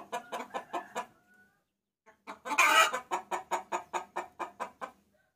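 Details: Hen calling a rooster, used as a lure sound: a quick run of clucks, a short pause, then a loud harsh squawk followed by about ten evenly spaced clucks roughly every quarter second.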